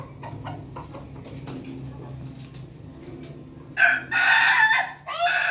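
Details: Ayam Ketawa (laughing chicken) rooster crowing on a Monday morning: after a few seconds of faint clicks and low hum, a loud, harsh crow breaks into several choppy bursts over about two seconds, ending in a short trailing note.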